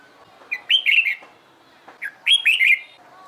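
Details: Red-whiskered bulbul trained for competition singing: two lively phrases of loud, bouncing whistled notes about one and a half seconds apart, each opened by a short sharp note.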